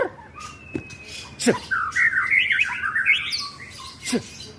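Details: White-rumped shama singing in a phone recording from Lebak, Banten, meant to make other shamas angry: a continuous fast burst of twisting, chattering whistled notes climbing in pitch, framed by sharp knocks and a faint long whistle.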